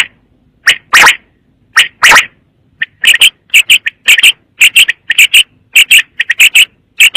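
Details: Quail call series, very clear and clean: two harsh broad rasps at the start, then a brisk, uneven string of short bright notes, mostly doubled or tripled, against a silent background.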